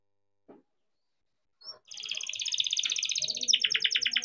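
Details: Young captive-bred canary singing to stir young or stalled canaries into song. After a brief silence and a click, a dense high rolling buzz builds into loud rapid repeated chips, with faint low background noise.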